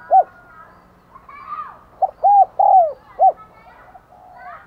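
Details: Decoy spotted dove cooing to attract wild doves: a single clipped note, then a phrase of short and drawn-out hollow coos ending in a brief final note, with faint other bird sounds behind.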